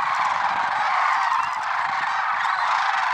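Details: Early-morning flock of lesser sandhill cranes, Merced National Wildlife Refuge, February 6, 2023; countless birds call at once, their rattling, trumpeting notes merging into one continuous roar without pauses.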